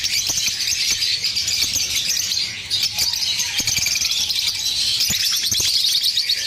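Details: Lovebird singing with a steady stream of shrill, fast twittering and squeaky chirps that rise into brighter bursts near the end, broken by occasional sharp clicks, over a quiet low background hum.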